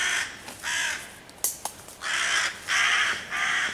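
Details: Hooded crow cawing loudly from nearby trees on 11 June 2023 while harassing five young raccoons hiding in a tree, calling other crows to attack; harsh caws in a run of four, with a few sharp clicks between.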